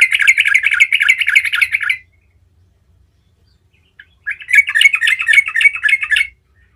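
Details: Yellow-vented bulbul singing a rolling gacor song to draw replies from other bulbuls; two loud bursts of rapid, scratchy chattering notes, each about two seconds long, separated by a silent pause.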